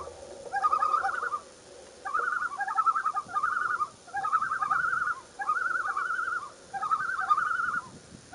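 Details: Common loon with its first chick on a June 2, 2015 morning: six wavering, quavering phrases near one kilohertz, each about a second long, separated by short pauses, over faint low background rumble.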